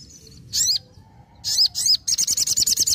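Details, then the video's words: Sogon in vigorous song: two high swooping whistled notes, a pause, two more, then a fast regular burst of about nine piercing staccato notes, with a soft hum underneath. "SOGON GACOR NEMBAK NGALAS"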